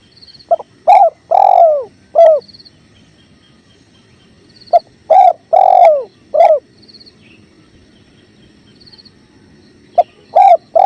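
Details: Spotted dove cooing in three regular phrases about four seconds apart, each a quick short note, a long falling coo and a closing coo. The song is set against a clear-river murmur, with high thin trills from another bird between phrases.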